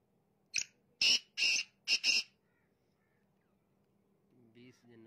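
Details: Black francolin (teetar) calling: a short harsh note, then two longer rasping grating notes and a quick closing pair, the phrase lasting under two seconds, followed by quiet and a faint low murmur near the end.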